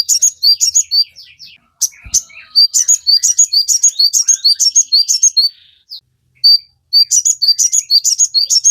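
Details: Sogon singing vigorously as training material for captive birds: long rushes of shrill, high chirps and trills repeated about twice a second, broken by short pauses.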